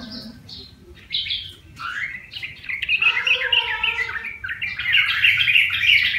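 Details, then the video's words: Wild-caught yellow-vented bulbul, trapped, tamed and kept for one month, now singing: bubbly, chirping notes in quick uneven phrases that build and grow louder toward the end, over a faint low hum. "Burung Trucukan (Jogjog) Liar Yang Dirawat 1bulan Udah Bersuara"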